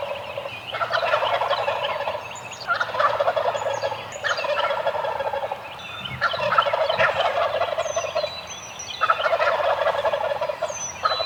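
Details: Roosted Eastern wild turkeys in the morning gobbling in bursts roughly every two seconds, each a loud gargling rattle, with short quieter gaps between; songbirds give sharp high whistled notes throughout.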